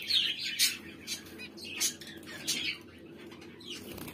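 Zebra finch chicks give high, thin, scratchy calls in uneven bursts, with wing flutters between.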